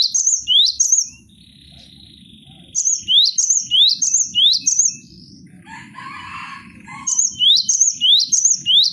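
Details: Caged cinereous tit for song tutoring: paired rising whistles, a lull with faint hum, a long phrase of bright upslurred notes, a brief buzzy chatter, then renewed rhythmic whistling.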